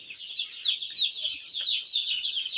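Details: A flock of broiler chicks under winter brooding keeps up shrill, overlapping peeps that rise and fall in loudness. No other sounds intrude.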